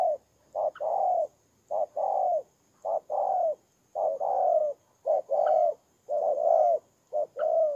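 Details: Spotted dove, a ground decoy bird from Kon Tum, Vietnam, in September 2018, giving repeated two-part coos, a clipped note then a longer mellow one, with a faint higher chip now and then.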